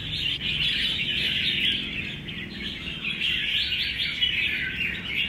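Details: A caged, wild-caught old forest Red-whiskered Bulbul, still quite shy, trades rough, harsh challenge calls with the neighbouring bird in dense, rapid, high-pitched overlapping bursts, with other birds calling close by.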